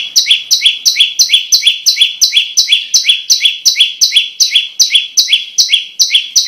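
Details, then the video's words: Continuous prinia (prenjak lumut) song meant for training songbirds and luring: sharp two-pitched chirps, each stepping from high to lower, repeated evenly about three times per second without a break. "Suara MP3 Burung Prenjak Lumut Yang Bagus Buat Isian dan Pikat"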